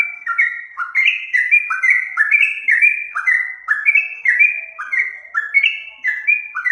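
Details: A captive Yellow-vented Bulbul, locally called trucuk, sings a lively stream of clear, slurred whistles that alternate between higher and lower notes in a rapid, jerky rhythm with no background noise.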